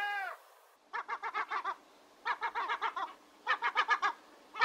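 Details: Gull calls in rapid laughing series: short, clipped, nasal notes delivered in quick runs of about six to eight, the runs separated by pauses of under a second, preceded by one brief falling wail.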